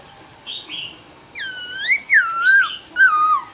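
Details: Laughingthrush at dawn giving loud, clear, rich whistles, long swooping and downslurred phrases after two soft hoarse notes, with little background noise.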